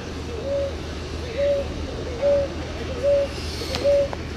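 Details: Rolinha-roxa, the ruddy ground dove of Brazil, cooing steadily: five short, level, mellow notes spaced roughly 0.8 seconds apart, over constant low droning noise with a faint higher chirp near the end.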